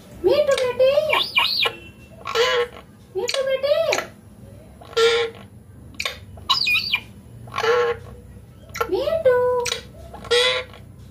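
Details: Pet green Indian ringneck parakeet talking clearly indoors: a string of separate word-like phrases, each a short harmonic-rich burst with gliding pitch, spaced by brief pauses.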